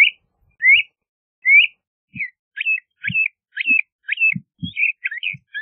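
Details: LeConte's thrasher giving clear rising whistles, then a run of short varied whistled phrases, each separated by brief pauses, with faint low thumps beneath.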